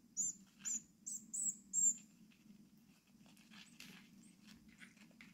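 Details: Rescued six-day-old tit chicks at feeding time in a Brilon wild bird rescue, Sauerland, 25 May 2024, after their mother stopped returning; five quick shrill high squeaks in a row, then soft rustling and faint clicks over a low hum.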